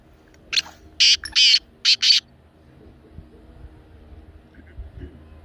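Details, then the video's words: Black francolin calling, played to get a pet francolin to call: a short grating note, two long harsh rasping notes, then two shorter ones in a quick burst, followed by quiet low background noise. "کالا تیتر کی بولتی آواز"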